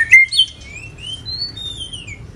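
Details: Moulting white-rumped shama, pipe-tobacco song style: one sharp bright note followed by a string of thin, high, drawn-out whistles that glide upward and fade away.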